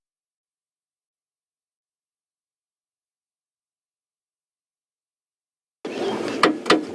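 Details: Nearly six seconds of silence, ending in a short burst of clicks and rustling with no animal voice.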